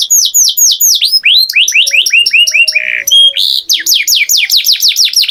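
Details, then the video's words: Canary singing loudly and continuously: fast series of descending whistled sweeps, high tinny trills and a brief buzzy rattle near the middle, phrases changing every second or so, with no other sounds. "Canary Singing Beautifully"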